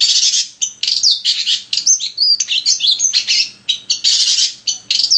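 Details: Long-tailed shrike singing to stimulate other shrikes: loud, dense scratchy phrases broken by whistled slides and mimicked chirps.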